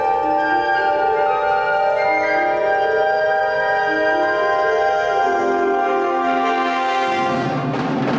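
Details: Mallet percussion and bells play a bright, ringing melody with sustained tones, ensemble music with no animal voices.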